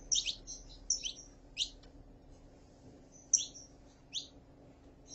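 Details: Saffron finch, female calling and male singing: a few scattered high, sharp chirps and short whistled notes with gaps between them, over a constant low hum.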